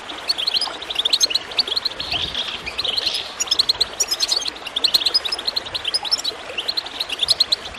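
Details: Chirping goldfinch over gurgling water, used to prompt birds into song; a busy stream of fast high twitters with a few louder bursts, barely pausing.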